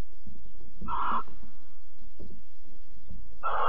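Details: Mating and cuddling barn owls, Alphen, 22 April 2020, 21:37: two harsh, breathy screeches about two and a half seconds apart, with soft scratching and rustling noises between them.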